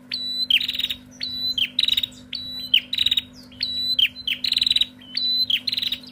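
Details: A female bar-winged prinia calls noisily, each phrase a level high whistle dropping into a rapid rattling stutter, repeated roughly every second, a low electrical hum running underneath.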